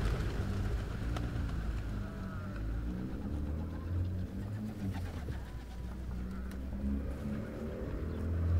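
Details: Hundreds of pigeons at Pigeon Valley in Cappadocia, Turkey, with several other birds nearby. A low, steady chorus of overlapping coos hums through the whole stretch, and faint higher chirps come from other birds.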